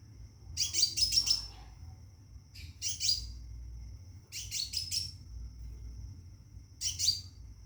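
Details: A Scarlet minivet kept in a cage calls for a mate, giving four rapid bursts of bright, high, stuttered chirps separated by pauses of one to two seconds, above a constant thin high-pitched hum.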